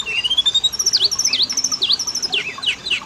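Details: Lure song of Oriental magpie-robin meant to get male and female birds singing: a long rising whistle, then repeated sharp V-shaped swooping notes over a fast continuous high twitter.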